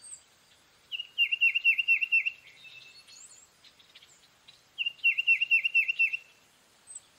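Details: Tufted titmouse whistling two bright phrases of about seven rapid, evenly spaced downslurred notes each, a few seconds apart, over a quiet background with a few faint high bird chirps.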